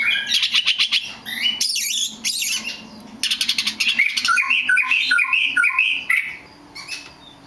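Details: A very rare black magpie robin opens with a fast series of sharp repeated clicks, then moves into a run of bubbling, warbled whistles that rise and fall before fading out.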